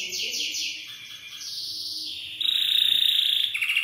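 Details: Belgian canary song for teaching young canaries: softer mixed chirping at first, then a bright, rapid rolling trill in the last second and a half.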